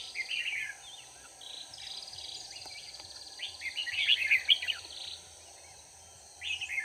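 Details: Decoy red-whiskered bulbul singing during bulbul trapping, 4 March 2019; clusters of sharp warbled notes separated by pauses, with constant environmental hiss and hum.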